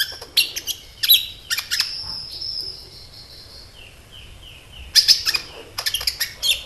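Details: Sunbird lure song: several clusters of sharp high chirps, a long thin whistle, a quieter run of repeated descending notes in the middle, then fresh bursts of shrill twitter.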